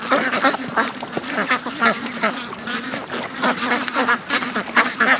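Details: Domestic ducks streaming out of the pen toward the creek on a morning rush; rapid, continuous quacking from many birds, about three calls a second, harsh and nasal.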